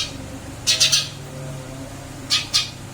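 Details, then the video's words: Caged Eurasian tree sparrow after a move to a new cage, giving two sparse clusters of sharp chirps, three quick notes then two more, with quiet room hum between them. "Burung gereja pindah sangkar Alhamdulillah tetap gacor"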